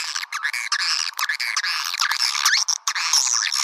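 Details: Lure call to attract swiftlets: a continuous chorus of buzzy, layered twitters and squeaky rising and falling chirps, overlapping densely with only momentary breaks.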